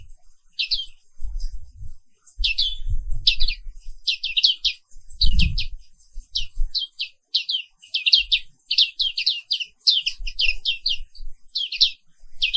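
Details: Morning song of a black-capped white-eye, an Indonesian endemic: clusters of high quick chirps in short groups, over intermittent low thumping and rumbling sounds.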